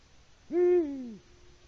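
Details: Male Eurasian eagle-owl at a Latvian live-camera site hooting for a mate while no female answers: a single deep, resonant hoot lasting under a second that swells, then slides gently downward before cutting off, with faint background hiss.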